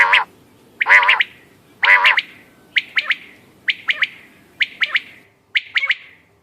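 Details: Hunting call of quail from 14 May 2025: three loud, rasping harmonic bursts, then evenly spaced clipped double notes roughly once per second, fading toward the end.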